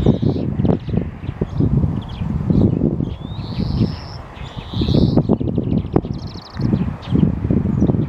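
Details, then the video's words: Singing European greenfinch gives rapid buzzy trills, broken by two long, level, wheezing notes in the middle. Loud, irregular low rustling and bumping sounds fill the background throughout. "Зеленушка поёт"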